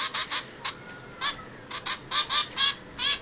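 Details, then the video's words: Baby zebra finches, two hungry chicks, giving short, scattered, buzzy begging notes, about two per second and unevenly spaced, over a quiet background. "Bubble & Squeak are hungry (Baby Zebra Finches)"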